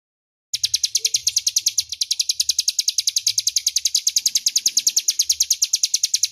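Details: Loud, clear crescent-chested warbler song meant for training magpie-robins: silence, then a long unbroken trill of high, bright, buzzy chirps repeated about eight times a second for nearly six seconds, with a faint low murmur beneath.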